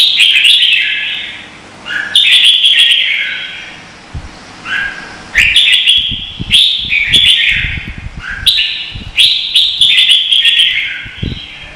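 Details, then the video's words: Red-whiskered bulbul in Vietnam giving contest song meant to train and provoke other birds: about seven loud, cheerful warbled phrases in quick succession with short pauses, and scattered tapping and knocking sounds in the background. "Chào mào hót đấu hay nhất việt nam"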